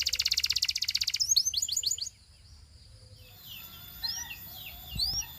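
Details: Belgian canary singing to attract other canaries: a rapid, even high trill of about a second, then quick rising slurred notes, a short quiet gap, and scattered sweeping whistles.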